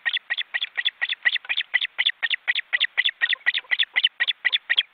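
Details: Osprey chicks in a cramped nest in an Estonian forest reserve, seen on a live webcam, nearly grown: an insistent, evenly spaced train of shrill piping calls, roughly four per second, sustained throughout.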